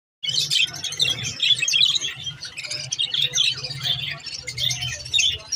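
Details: White budgerigars chatter continuously in a busy stream of warbled chirps, squeaks and scratchy notes.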